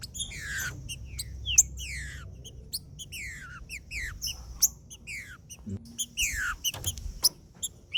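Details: Green-winged saltator singing macheando to stimulate other saltators: repeated downward-slurred whistles, several per second in bursts, mixed with high sharp clicks over a low background hum.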